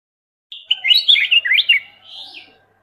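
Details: Black-crested bulbul, Pycnonotus melanicterus, calling: a lively run of quick warbled and slurred notes, bright and chattering, ending in a softer trailing whistle.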